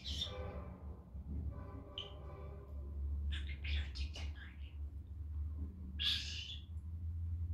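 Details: Male pet budgerigar indoors at home on a sunny day, playing in a good mood and talking: quick high chattering bursts and scratchy warbles around a low steady hum, with a brief harmonic phrase at the start.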